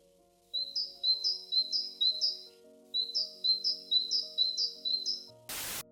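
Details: A Eurasian blue tit in Ukraine gives high, thin two-part notes, repeated about twice a second in two quick runs, over soft background music, ending with a brief noisy burst.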